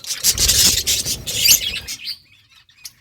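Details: Budgerigars chirping while playing in summer breeding season: loud, harsh high chatter for about two seconds, then near silence with a few faint squeaks.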